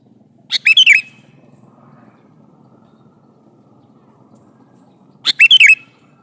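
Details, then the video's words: Male sooty-headed bulbul calling its mate: two crisp phrases of rapid, bubbly whistles, almost five seconds apart, with a quiet low hum throughout. "suara burung kutilang jantan memanggil betina"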